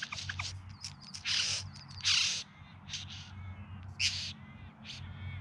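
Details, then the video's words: Bowerbird in courtship display, filmed September 2020 in the Yarra Valley just outside Melbourne, producing loud grating, hissing bursts mixed with thin ticking and whistled fragments, the strongest rasps around two seconds in. "Bowerbirds Singing and Dancing"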